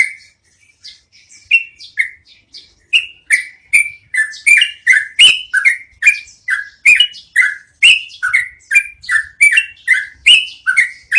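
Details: Yellow-vented bulbul (trucukan) long rolling song, kept as cage-bird training audio; rapid string of loud, slurred downward whistled notes, about two and a half per second, with sharp clicks above.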